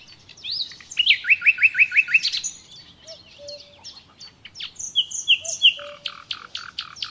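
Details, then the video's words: A common nightingale sings a varied phrase: a fast run of rising chirps, low whistled notes, then a rapid dry rattle of repeated clicks. "Doğal Bülbül Sesi Dinle"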